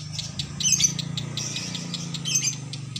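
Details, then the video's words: Konslet song, long and continuous, from a caged female lovebird hung up at a bird shop: a steady stream of thin, high, scratchy chirps with a few brighter squeaks, over a constant low drone. "Lovbird konslet"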